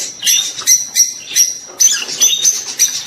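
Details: Rosy-faced and Fischer's lovebirds calling to stimulate a female to breed: short bursts of high, grating chirps about every half second.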